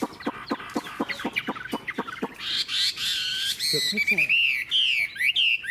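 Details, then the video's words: Old wild-caught Chinese hwamei singing: a quick series of sharp downward-sweeping notes, then loud sustained whistles that rise and fall, ending in bright slurred phrases. "Họa mi già rừng hót hay"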